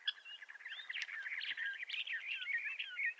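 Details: Bendire's thrasher of western North America singing a continuous warbled stream of rapid, slurred whistled phrases, mid-pitched and varied, running without pause for the whole stretch.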